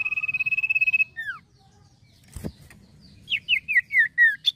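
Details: Male common iora singing a steady rapid trill about a second long, two short descending slurs, a sharp knock, then a run of five loud falling whistles ending on a higher note.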